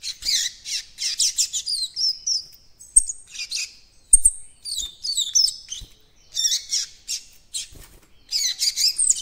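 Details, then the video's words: Young coleiro baiano seedeater attempting the encarte song: bursts of scratchy, high chirping alternate with short pauses, plus thin whistled slurs and occasional soft knocks. "COLEIRO BAIANO FILHOTÃO QUERENDO ABRIR CANTO DO ENCARTE"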